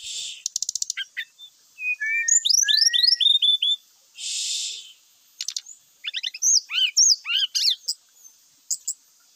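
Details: Grey-chested jungle flycatcher, vigorous song full of varied phrases, played as a lure to get birds singing: rapid clicking chatter, cascading whistled slurs, a soft hissy burst, then more quick rising and falling notes.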